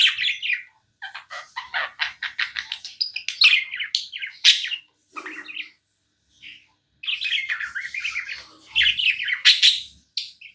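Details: Tame budgie in steady chirping chatter: a fast train of clicky, scratchy notes, then a quiet pause, then more warbled high chirps and squeaky whistles, indoors with a faint low bump.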